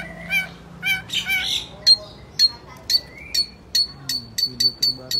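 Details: Long-tailed shrike in vigorous song: a few harsh, grating phrases open, then a regular run of thin, piercing high notes, each with a brief buzzy lead-in, repeated roughly twice a second.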